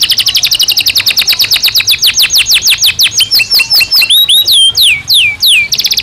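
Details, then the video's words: A Belgian canary sings a rapid run of downslurred notes that slows into clear, separate falling whistles, followed by a few deeper swooping phrases and a short return to fast trilling. "Canario Belga Cantando Naturalmente"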